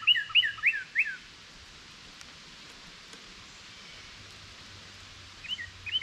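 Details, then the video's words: A Northern Cardinal, one of several waiting for seeds near a feeding squirrel, gives four quick, loud slurred whistles in about a second, then pauses before two more, over faint outdoor hiss. "Cardinal Bird Sounds"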